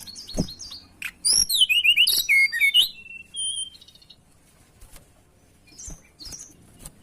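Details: Mountain tailorbird song used to lure birds: a loud, fast sequence of high whistled and downslurred notes for about two seconds, followed by a few thin whistles and faint scattered chirps.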